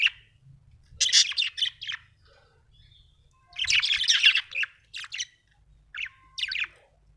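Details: Happy budgie chirping in clustered bursts of rapid, raspy twittering notes, with pauses of about a second between groups and a soft background hum.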